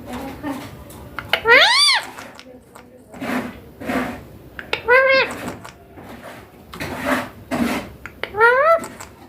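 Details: Young green Indian ringneck parakeet kept indoors, talking: loud arched harmonic screeches rising then falling, spaced a few seconds apart, between softer voice-like murmurs in a small room.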